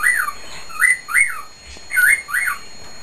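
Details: Caged male cockatiel whistling at full volume, giving five clear swooping whistles that rise and fall, grouped in two quick pairs with a short pause between.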